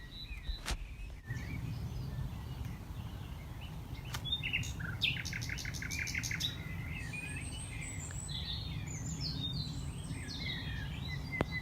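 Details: Another Common Nightingale singing at night beneath a tree platform on a rewilded farm in West Sussex, May: loud clicks, then a fast series of sharp repeated notes, followed by varied whistled and chattering phrases, with a low background rumble.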